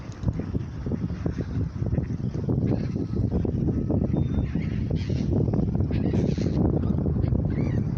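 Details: Hungry ducks keep up a dense, overlapping chorus of harsh, nasal quacks with no pauses, over a low rumbling background.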